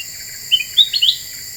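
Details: Black-winged bulbul lure call used to provoke rival birds: a short phrase of three to four high whistled notes, the last ones slurred upward, against a steady background hiss.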